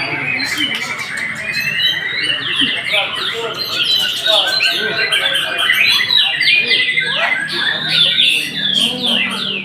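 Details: White-rumped shama singing rapidly, repeating short whistled and trilled motifs several times a second in a lively, high, chattering stream.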